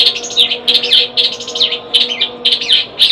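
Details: Caged long-tailed shrike, kept as a household pet, delivering a fast chattering song of short scratchy and squeaky high notes in tight bursts, several phrases each second with no pause, steady faint hum behind.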